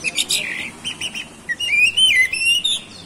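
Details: Oriental magpie-robin (kacer) song used to provoke other birds into singing: clear whistled phrases and sliding notes mixed with rapid chirps, ending in a long wavering whistle.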